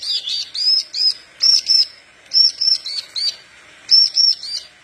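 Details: Horsfield's bush lark singing lively to train other larks, clusters of two to four high, looping whistled notes in quick groups separated by short pauses.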